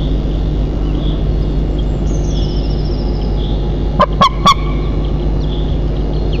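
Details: White-tailed eagle pair at their nest 35 m up in Nizhnyaya Kama National Park, Russia, before dawn at 03:52 on 10 May 2024: three loud, harsh yelping notes in quick succession over a steady low hum, with a faint high songbird trill behind.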